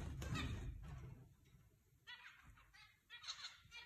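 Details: A flock of zebra finches in an aviary giving short, nasal, trumpet-like beeps in scattered bursts, several birds calling over one another, over a low indoor rumble.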